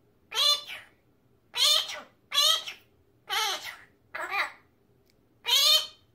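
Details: Male magpie kept as a pet and known for imitating human words like "peach come here"; six rasping, harmonic syllables about a second apart, some doubled, over a still, quiet background.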